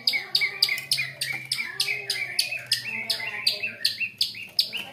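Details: Lure song of a long-tailed shrike, meant to get quiet shrikes singing: a steady series of loud, harsh, clipped notes, roughly two per second, over a faint low steady hum.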